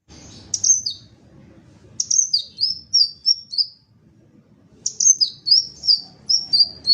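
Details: Crimson sunbird, called sepah raja ekor merah, giving three bursts of thin, very high chirps, each burst a quick descending series of sharp sliding notes, with faint low background rumble between bursts.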